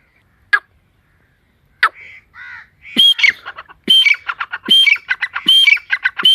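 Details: Forest partridge: a few scattered clicks and soft nasal notes, then from midway a steady run of harsh, rattling, squawky phrases with a bright whistled note, each phrase about a second apart.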